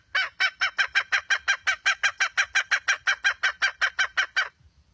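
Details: A red junglefowl hen gives about twenty harsh, evenly spaced clucks in quick succession, regular and loud, ending abruptly in near silence.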